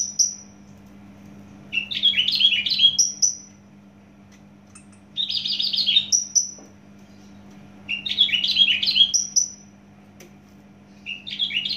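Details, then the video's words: Javan bush lark, originally from Java, singing dense warbled phrases of jumbled high chirps and trills, each burst lasting one to two seconds, separated by pauses and set off by single thin whistled notes. "branjangan javanica asli jawa volume dan spedd edan mantap"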